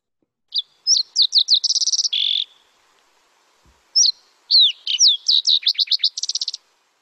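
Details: Green-tailed Towhee from the Lake Tahoe area: two bright, high songs, each opening with slurred whistles and running into rapid trills and a buzzy lower note, with a short pause between them.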